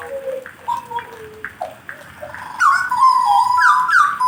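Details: Jagal blorok in warm-up: soft, scattered whistled notes at first, then a loud, continuous stream of rising and falling whistles.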